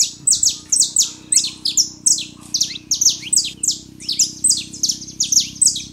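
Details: Loud Saffron finch song from a male and female, used to warm up a quiet canary: evenly pulsed bursts of crisp high notes, each a sharp chip dropping into a short slur, about three per second, over a low hum.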